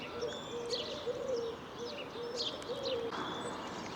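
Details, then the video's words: Eurasian collared doves, plenty around a church and pub near Guilden Morden, Cambridgeshire, on 24 March 2022 at 5:15, a reasonably sunny day with little wind. One coos in low, soft three-part phrases while small birds chirp in the background. "Plenty of collared doves around, as you can hear."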